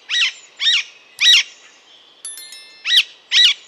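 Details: Loud, raspy squawks of an Alexandrine parakeet spaced about half a second apart, with a brief thin tonal whistle from another bird midway.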